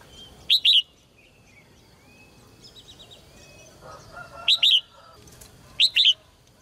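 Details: Caged red-whiskered bulbul, meant to stir males to sing hard, repeats a short paired whistled phrase three times, about every two to four seconds, with soft background chirps between.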